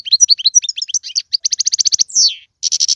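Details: Pet-stimulation song of a European goldfinch: quick tinkling twitters, then a run of evenly repeated bright chirps, a loud falling buzzy slur, and another burst of rapid repeated notes.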